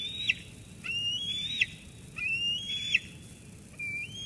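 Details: Eaglet at Sauces Canyon, June 13, 2021, squeeing its mother away after she brings food. Three upslurred whistled squees, each rising gradually before a sharp falling tail, with a quieter fourth note beginning.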